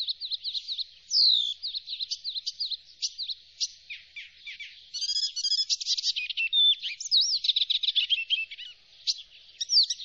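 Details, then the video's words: Icterine warbler song, a fast, varied jumble of high whistles, nasal buzzy notes and squeaky chatter, delivered without pause; no other sounds. "geluid spotvogel"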